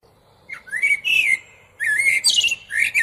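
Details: Blackbird song in two bursts: mellow, slurred whistles that rise and fall, overlaid with scratchy high-pitched twitters, with a short pause between them.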